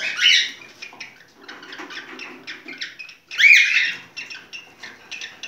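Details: Singing cockatiel during mating: a loud whistled phrase, then softer rapid chirping, then a second loud rising and falling whistle followed by more quick chirps.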